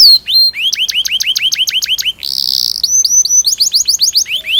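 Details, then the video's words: Long rolling canary song used to coax young canaries into singing: fast series of high sweeping chirps, a harsh buzzy burst midway, then more rapid clear down-slurred notes. "Burung kenari gacor panjang Cuit Cuit ngerol Pancingan Kenari Paud belajar bunyi"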